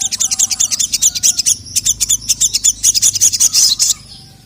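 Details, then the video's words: Ruby-cheeked sunbird (sogon), a female calling a male that answers angrily: a rapid run of sharp, very high chirps, about four per second, in a steady burst that stops abruptly near the end, with a faint low hum beneath. "SOGON GACOR LANGSUNG NYAUT EMOSI NGAMUK DENGAR SUARA BURUNG SOGON MEMANGGIL JANTAN INI"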